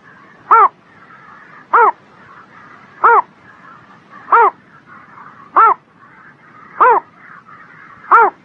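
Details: Bird singing on a spring morning: seven short, harsh, arched notes, each repeated about every 1.3 seconds at a steady pace, over faint soft background twittering.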